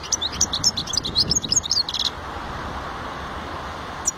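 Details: European goldfinch song, a rapid run of bright, tinkling twitters and short buzzy notes lasting about two seconds, then quiet hiss with one last chirp at the very end.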